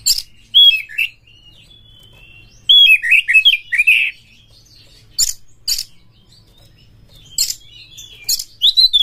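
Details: Kacer, the Oriental magpie-robin, singing as a lure to stir caged birds into breeding condition and loud singing: bursts of whistled, slurred notes and fast chirping runs, with a brief steady whistle and gaps between phrases.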